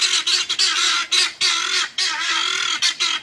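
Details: Guineafowl calling loudly and repeatedly, harsh grating squawks in bursts of about half a second to a second, close and constant, during a weekend of noise described as the most annoying sound around a police dog.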